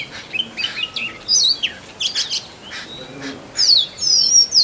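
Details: A male Oriental magpie-robin sings to attract a mate: a varied run of sweet whistles, chirps and rising slurred notes, high-pitched and bright, over a faint background hiss.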